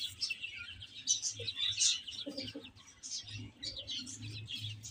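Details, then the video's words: A group of chicks eating and playing, peeping constantly in high, thin overlapping notes, with a few quieter low clucks underneath. "Cute Chicks Chirping Sounds"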